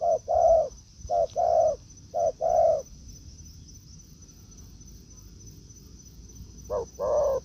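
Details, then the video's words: Spotted dove in a forest encounter between a decoy and a wild bird. Three quick short-long coo pairs, a quiet gap of about four seconds, then the pattern starts again. A high hum continues in the background. "Mồi Thổ ô ra rừng đụng bổi đồng cườm đẹp"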